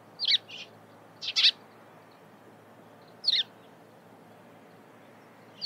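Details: Eurasian tree sparrow calling in the morning: short, high chirps in pairs and singles with long quiet gaps between them, over a soft background hiss.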